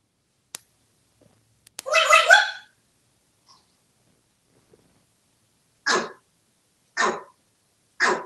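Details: Talkative pet African grey parrot, male, kept in a Texas home: one harsh, buzzy squawk lasting about a second, then three short sharp calls spaced about a second apart, with faint clicks between.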